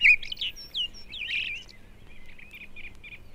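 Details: A blackbird of a northern population in a British woodland in February sings mellow, pure fluting phrases ending in thin twittery notes, then a run of short repeated notes, over faint low rumble; later joined by a song thrush.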